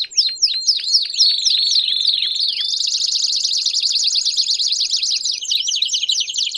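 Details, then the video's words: Belgian canary singing loudly and continuously: rapid high trills around four kilogram-free kilohertz-free pitch, opening with sweeping downward whistled notes, then a long dense rolling trill, ending in quick looping notes. "Canário Belga Cantando Estourado"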